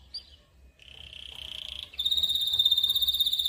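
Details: Canary song from a local bird, recorded as training material for other birds: a faint chirp, then a soft buzzy roll building in volume, switching to a loud, pure, machine-fast trill.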